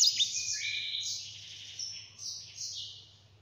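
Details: Yellow-fronted canary song, softer and fading: high sustained trilled notes and gliding whistles that gradually drop in loudness, with a low steady hum behind.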